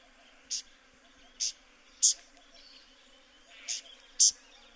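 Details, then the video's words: Tawny-flanked prinia (Prinia subflava) calling: five short, sharp, high clicking notes at uneven intervals of about half a second to one second, over a faint steady background hum. "Tawny-flanked Prinia (Prinia subflava) Bird Call"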